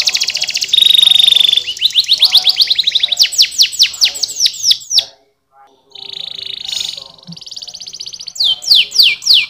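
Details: Canary pouring out a varied song: a high steady whistle over a trill, fast repeated sweeping notes, a short silence, a rolling buzzy trill, then more descending sweeps.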